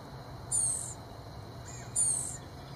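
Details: Excited Blue-gray gnatcatcher chicks in the nest beg as bug-carrying parents approach, giving two very high, hissy, buzzy begging bursts about 1.5 seconds apart over a steady insect drone and low rumble.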